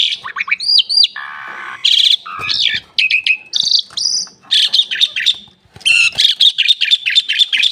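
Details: Asian pied starling song mixing hooked whistles, a low harsh buzz, sharp upswept notes and stuttering chatters, with a brief silence before a final flurry of rapid chirps.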